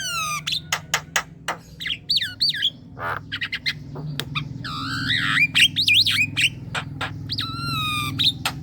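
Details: Javan myna lure sound aimed at young and untrained birds: chattering clicks, wavering whistles and harsh squawks in a busy sequence over a low steady hum.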